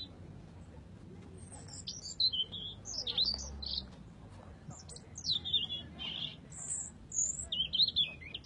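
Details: Red robin singing: thin, high, twittering phrases of squeaky slurred notes, coming in short bursts over a soft low background hum.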